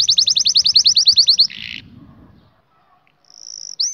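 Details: Training song of a canary for teaching young birds: a steady rolling tour of about fifteen repeated slurred notes, then a short buzzy phrase, near silence, and a thin high whistled note.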